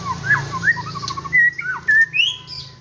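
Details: White-rumped shama song, played so a kept shama becomes agitated and sings readily: a varied run of clear whistled notes, some rising and some falling, with short high slurs and brief louder bursts over a low background hum.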